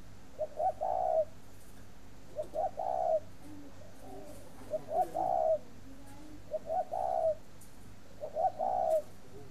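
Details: Spotted dove kept at a dove farm in Ba Vì, Hanoi, Vietnam, a breeding bird, cooing steadily: each phrase opens with two or three short soft notes, then a longer low mellow coo, repeated about every two seconds, five phrases.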